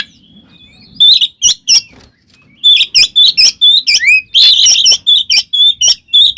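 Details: Oriental magpie-robin (kacer), a caged bird in fighting-song mode, used to provoke other magpie-robins. Loud, sharp, high whistled and chattering notes come in bursts after a quiet start, with brief gaps between the phrases.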